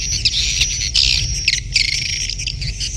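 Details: Swiftlets in a birahi beranak mating call, heard as brief, buzzy chittering bursts and squeaky notes in quick succession over a low droning hum.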